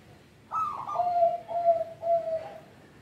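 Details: Local zebra dove singing, a voice prized for luring young birds: one phrase that starts high and rough, then slides down into three steady, drawn-out lower coos.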